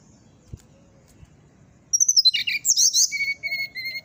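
A brown-chested jungle flycatcher sings after a near-silent start: a quick tumble of sweet, shifting whistles, then several clear high whistled notes repeated at a brisk pace.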